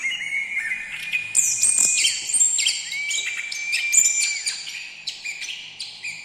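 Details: Orange-headed thrush delivering a flowing song of held whistles and sharp high flourishes, fading toward the end into softer scattered notes.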